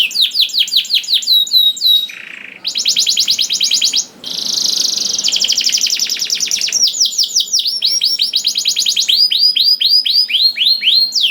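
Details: Varied canary song used to lure other canaries into singing: hooked whistles, a brief low note, long buzzy rolls and steady rapid trills, ending in crisp repeated upswept notes.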